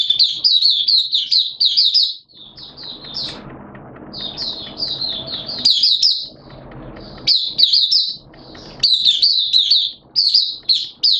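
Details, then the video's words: Hobby-kept Oriental white-eye singing freely, 11 September 2022, weather wet and erratic; long sequences of rapid, high, tinkling chirps in several bursts, each lasting a second or two, with low background noise between them. "Mata Puteh T-Rex Buka Sing"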